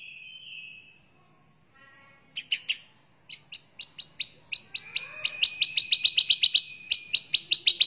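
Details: Murai batu, the white-rumped shama, singing in an energetic gacor style for training other birds: soft whistles give way to quickening sharp repeated chips that accelerate into a steady rapid trill-like series.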